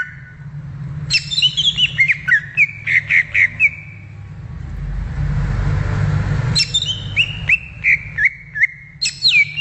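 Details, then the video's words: Greater green leafbird song in the wild: runs of quick whistled and slurred notes, interrupted midway by a loud passing rushing noise like a vehicle, then the whistles resume. "SUARA ASLI CUCAK IJO DI ALAM LIAR"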